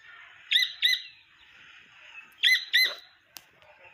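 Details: Wild partridge chick calling: two pairs of sharp, high, ringing chirps, each pair quickly doubled, separated by about two seconds of faint rustling, with a single click near the end.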